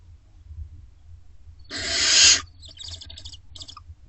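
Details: From barn owl owlets in nest box C, late May to early June 2025, one long loud hiss of about two-thirds of a second, followed by broken, shorter rasping bursts.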